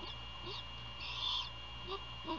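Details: Great horned owl at a nest near Savannah, Georgia, at 1:38 AM on 27 February 2022, during a prey handover and night feeding; a soft, breathy rasping hiss swells briefly mid-clip over a constant electrical hum.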